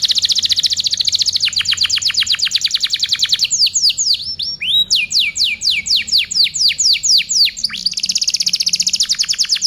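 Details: Canary song for tutoring other birds: long fast trills of sharp descending strokes, broken by a few louder slurred downsweeps, then the quick rhythmic trilling returns.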